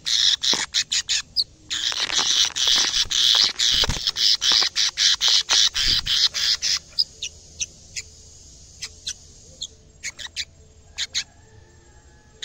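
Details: Caged canary singing on first seeing a camera: a dense, rapid run of high chattering notes for about seven seconds. It then breaks into scattered short chirps, several per second, in a quiet room.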